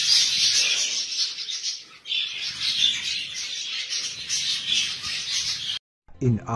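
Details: Canary singing in a steady stream of high, rapid chattering trills and twittering phrases, briefly dipping after two seconds, then cut off near the end by a short gap and a low thump.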